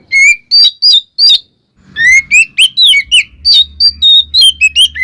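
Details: Twin Oriental magpie-robins singing to provoke other magpie-robins: loud, clear whistled notes, some flat and some sliding up or down, in quick bursts, with a short pause near the middle, then a denser run of varied phrases.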